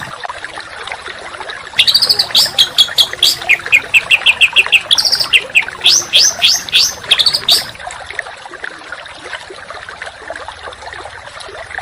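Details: Harsh, rapid training song for contest songbirds. After a quiet opening, a six-second run of loud whistled notes follows, some rising and some falling, repeated about three per second, then the song fades to background hiss.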